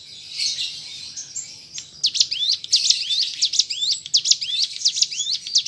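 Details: Two seconds of airy hiss give way to a mountain prinia's rapid chattering song, bright upswept whistled notes tumbling at a fast regular pace; recording meant to coax captive birds into song.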